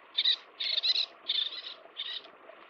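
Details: Little tern (Sternula albifrons) at a nest feeding chicks: four harsh, raspy high calls spaced about half a second apart against a steady low background hiss.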